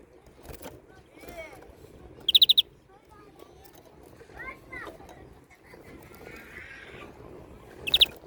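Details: European greenfinch with one crisp rapid burst of five notes, softer scattered twittering chirps in between, and a brief quick burst near the end.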